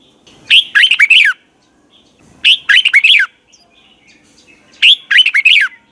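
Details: Red-whiskered bulbul, used as a decoy for training birds, giving its morning song in the double twisted voice style: three matching phrases of rapid, bubbly whistled notes, about two seconds apart.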